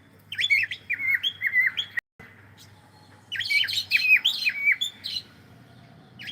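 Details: Warbled whistling from a pet cockatiel at play: quick swooping notes in a phrase, a brief cut, then a denser, rougher-edged series of calls lasting about two seconds.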